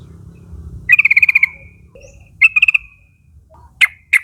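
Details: Yellow-vented Bulbul, young wild flock birds from forest, giving the nguplik call used to lure mates into answering. One long bubbling run of about eight notes, a shorter burst, then two isolated sharp notes over low droning hum.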